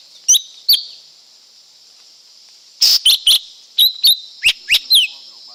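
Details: Lesser green leafbird pouring out varied whistled notes, first two spaced, then a fast run of sweeping, partly downslurred whistles, above a constant high hiss.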